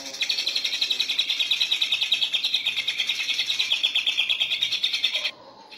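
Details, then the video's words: Greater green leafbird, cucak ijo, in gacor ngentrok contest-training song: an unbroken, fast, regular chattering trill of bright high notes lasting over five seconds, ending abruptly into quiet. "Cucak hijau gacor ngentrok"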